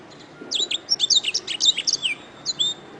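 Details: Canary singing for songbird training: a tight, rapid string of high, slurred chirps and whistled notes, ending with two separate bright chirps.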